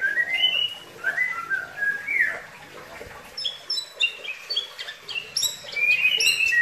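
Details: Bali myna in song: smooth rising whistles at first, then rapid, high, choppy chips and squeaks, ending in a sustained whistled note.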